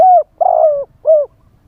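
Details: Decoy spotted dove singing a wild-style phrase live to lure wild doves: three resonant coos, the first clear and falling, the middle longer and rough, the last smooth and dropping, with clean silence between.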